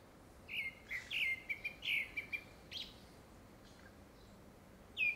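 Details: Grey-backed thrush courtship song, seemingly for a second brood: a quick string of short, sharp whistled notes for about two seconds, a lull, then one more whistle at the end.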